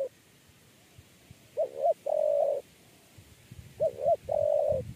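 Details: Tekukur, the spotted dove, calls in the 'kuk 3' manner used for trapping. Two full phrases of paired short hoots and an extended mellow coo are heard, with low rumbling knocks in the background.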